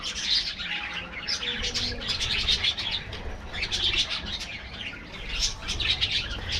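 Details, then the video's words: Budgerigars chattering in an aviary colony, bursts of bright chirps and warbled phrases overlapping, swelling and easing in waves. "parrots,parrot,talking | budgies bird"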